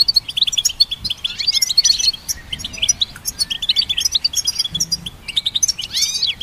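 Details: Goldfinch hybrid song, recorded for training songbirds: a rapid, dense twittering of high, tinkling notes and short buzzy trills, with bursts and brief pauses and a few sweeping, slurred whistles near the end.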